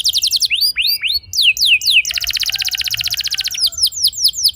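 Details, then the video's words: Young canary singing a long rolling lure song for other canaries: high downslurs and hooked upswept notes, then a very fast even trill lasting about one and a half seconds, then more swept notes. "Seketika Burung Kenari Lain Ikut Gacor Ngeroll Panjang! Pancingan Ampuh Kenari Paud"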